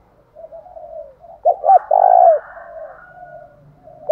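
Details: A spotted dove decoy gives a challenge coo to stir caged doves into answering: two quick sharp notes, then one drawn-out loud coo, with quieter murmured cooing and a faint higher warble behind.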